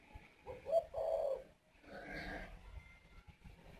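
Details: At a spotted dove breeding aviary, a male on the nest gives a low, hollow two-part coo that urges the female to lay again, then falls quiet amid faint background murmurs.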